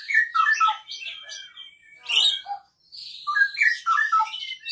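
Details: Singing unprompted, a captive Asian pied starling delivers a Cililin-style song of mimicry, canary among the models: rapid jumbled chirps and squawky notes in bursts, with a short pause in the middle.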